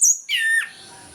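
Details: Orange-headed thrush in morning ngeplong singing, used as a lure for reluctant birds. A short high squeaky note, then a harsh, slightly falling whistled phrase cut off abruptly.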